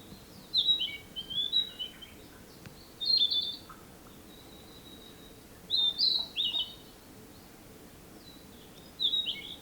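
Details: Narcissus flycatcher singing in 2017: short whistled phrases around mid-high pitch, delivered in bursts every two to three seconds with quiet gaps, faint background hiss.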